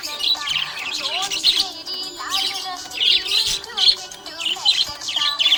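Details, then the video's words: Happy budgie giving rapid, scratchy warbling chirps in clusters about every half second, mixed with short rising and falling whistles. "Happy budgie chirping sound"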